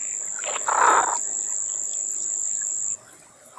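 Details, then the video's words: An American white ibis gives a single harsh, nasal honk lasting about half a second, over a steady high-pitched insect whine. "American White Ibis(Eudocimus albus) Call"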